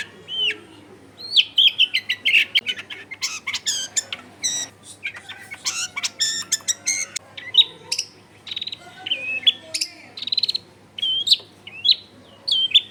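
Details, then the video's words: Long-tailed shrike song used as a lure so other shrikes answer, recorded in a crowded neighbourhood: a dense, varied medley of sharp clicks, rasping notes and whistled slurs running almost without pause, over a low hum. "SUARA CENDET GACOR PIKAT AMPUH BIKIN BURUNG CENDET LAIN LANGSUNG ON DENGAN MUDAH NYAUT GACOR DOR"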